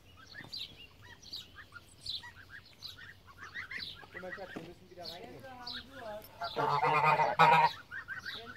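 A Pomeranian goose gives a run of short nasal cackles, then a loud, harsh, drawn-out honk near the end, with faint higher chirps behind.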